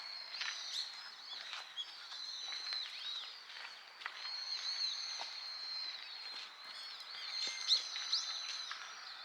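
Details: Many Brown-eared Bulbuls sing among Harumeki cherry blossoms in full bloom in Minami-Ashigara City, Kanagawa Prefecture, where they come to feed on sweet nectar. Overlapping shrill, squealing notes form a dense chorus, with sliding whistles and brief sharp chirps throughout.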